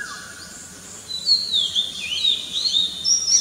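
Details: Oriental magpie-robin (Copsychus saularis) in morning song: clear, varied whistled phrases with sliding and rising notes, high-pitched and quick, over a steady insect-like hiss and a faint background chorus of other birds.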